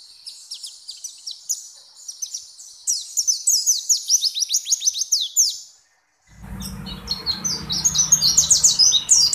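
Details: Pleci (white-eyes), several birds heard together, sing high, thin, rapidly descending twitters in dense bursts. After a brief silence the song resumes over a low hum and background noise.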